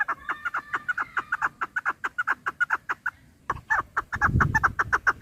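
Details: Rapid clucking chukar partridge calls, sounded for hunting use. The notes come quickly and evenly, pause briefly past three seconds, then resume over a burst of low rumble.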